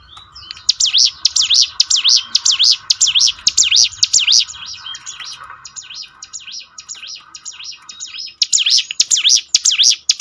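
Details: Bar-winged prinia song for training birds to sing more often: rapid bright chirps for several seconds, a softer stretch, then another loud run of repeated up-down notes.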